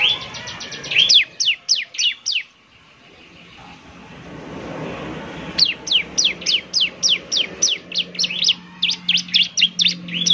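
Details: Bar-winged prinia lure song, semi-active singer: fast runs of high, clipped descending notes, a quiet gap with faint low background hum, then another long rapid burst of sharp chirps.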